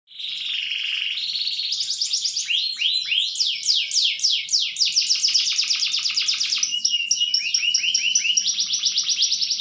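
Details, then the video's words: Canary singing in the vigorous 'bantingan keras' style: a loud, continuous run of high, rapid trills and sweeping whistled notes that change pattern every second or two, with no other clear sounds. "kenari gacor bantingan keras"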